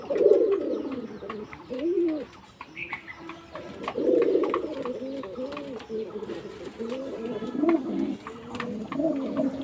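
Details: Several domestic pigeons coo in low, rolling, overlapping phrases in the morning after feeding, sunning after a night of heavy rain and storm; they are calling because they are about to lay eggs. Faint human speech is in the background.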